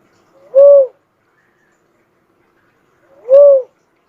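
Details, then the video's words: Two low, mellow whistled coos from an uncal cuckoo-dove, each with a quiet lead-in and a slight arch in pitch, spaced about three seconds apart. "suara burung uncal asli"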